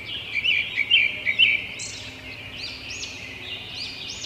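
A robin gives a quick run of bright, high chirps over about a second, then fainter thin whistled notes over a steady hiss.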